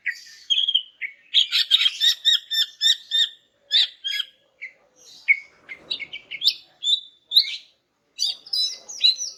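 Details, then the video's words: Greater green leafbird female calling a male, used to make silent males answer in song: a long, fast sequence of clipped repeated chirps, then varied whistled and twittering notes rising to high sharp calls. "BURUNG CUCAK IJO JANTAN MACET BAKAL NYAUT GACOR DENGAR INI"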